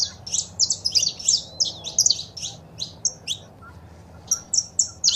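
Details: Saffron finch song with female calls, used to encourage a pet bird to sing; an opening flurry of rapid bright notes thins to a few chirps, then resumes near the end.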